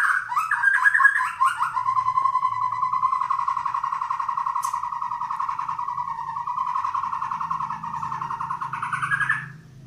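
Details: White-rumped shama of the Medan type, a long-tailed bird, singing in the nonstop 'ngedur' style while pushing its tail. It gives an unbroken, wavering whistled warble held for about eight seconds, with a faint low hum underneath.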